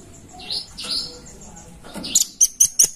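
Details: Red-billed blue magpie calling: a few slurred, rising-and-falling high notes, then a quick run of sharp, very high ticks in the last second, over a quiet background.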